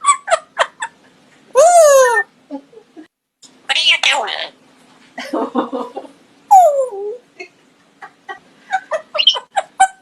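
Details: Pet female African grey parrot indoors, laughing and wheezing in escalating bursts to set off its owner's laughing fit: harmonic squealing rises and falls and rapid staccato laughs, mixed with a woman's laughter and speech.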